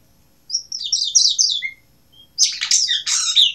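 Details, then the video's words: Asian blue rock thrush delivering a quick run of repeated high chirping notes and a low whistle, then after a pause a dense, scratchy, chattering burst. "Синий каменный дрозд (Азия)"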